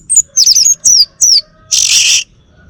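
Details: Bali male orange-headed thrush gives three falling, slurred high whistles, then a harsh hissing buzz lasting about half a second.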